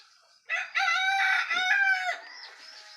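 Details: Rooster crowing at dawn as a sign that morning has come: one loud, rich crow lasting under two seconds, a brief opening note then a long sustained middle ending in a fading tail, with faint background murmur.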